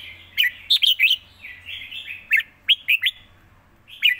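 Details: Red-whiskered bulbul singing live, praised for quick, well-styled phrasing: short bright whistled notes with sharp up-and-down slurs, given in clusters separated by softer warbling, over a faint low hum.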